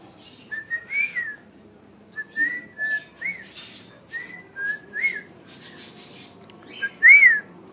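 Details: Hand-tamed pet cockatiels whistling indoors: short clear rising-and-falling whistled notes repeated every half second or so in a quiet room, ending with one louder, sharper whistle.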